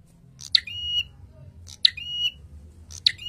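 A prinia repeats a sharp, high chip followed by a shrill, level buzzy trill, about every one and a third seconds. A faint low hum sits underneath.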